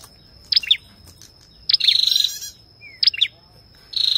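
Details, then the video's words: Male ashy tailorbird singing with a female calling: short, high, sharp chipping phrases about every one and a half seconds, alternating with rapid buzzy trills; a thin steady insect whine runs throughout. "Tiếng chim Sâu đầu đỏ hót kèm tiếng Mái"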